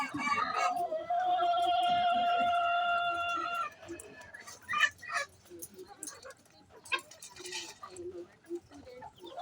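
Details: Hen vocalizing before laying eggs: a long, sustained, steady-pitched squawk lasting about three seconds, followed by softer clucks and scattered background noises.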